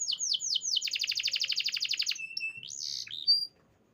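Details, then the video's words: Singing canary delivers a quick run of descending high notes, then a fast even trill of about twenty pulses, followed by short whistled tones and a rising, swooping note before falling silent. "Natural Sound of Forest Birds Chirping || Canaries"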